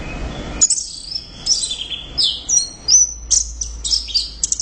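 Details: Orange-headed thrush singing loudly after a brief quiet start: rapid bursts of high whistles, chattering notes and sharp sweeps repeated in energetic clusters.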